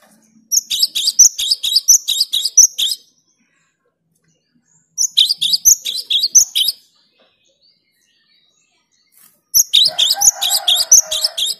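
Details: Cinereous tit (gelatik batu, wingko) singing vigorously and clearly: three bursts of high, sharp two-note phrases, each repeated rapidly about eight times. Short silences separate the bursts, and a faint low hum is heard near the end.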